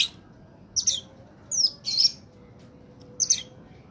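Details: Oriental magpie-robin in peak form, played to lure wild birds: sparse, short, high scratchy chirps in three or four bursts with gaps between them, over a faint steady hum.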